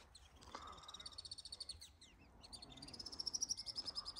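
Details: Over a lake, an Alpine swift calls in quick high trills that swell in loudness. A few scattered chips come before a louder, sustained trill builds through the second half.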